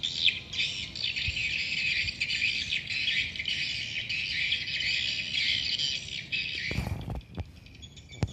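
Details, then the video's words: Many swiftlets calling inside a swiftlet house, a continuous high twittering chatter of overlapping chirps, broken near the end by a couple of sharp knocks or clatters. "rumah burung walet"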